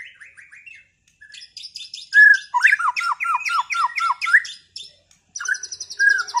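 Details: White-rumped shamas after moulting, dueling to restore their singing performance: a short chattering phrase, then a run of loud repeated downslurred whistles overlaid with high rattling trills, a pause, then a buzzy high trill with scattered whistled notes.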